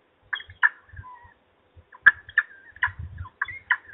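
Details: Feeding time at a peregrine falcon nest in Trzebież on 17-05-21: rapid bursts of rasping, chattering calls, several per second, some trailing into thin drawn-out notes, over soft low bumping sounds.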